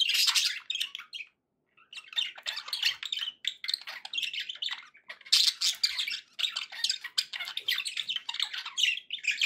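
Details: Pet budgies in a cheerful mood, giving dense, scratchy warbling mixed with harsh squawks and rapid chirps, nearly continuous for over nine seconds apart from one short pause, recorded indoors with no other noise.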